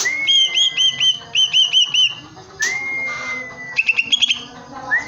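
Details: Caged greater green leafbird singing busily while striking its cage: clear whistled notes repeated in quick groups, long level whistled slides, and short bright trilled phrases.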